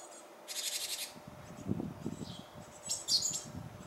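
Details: Japanese tit about to fledge, appearing to dawdle: one half-second burst of harsh pulsed buzzing, then high sharp chirps near the end, with low rustling and knocking noises underneath.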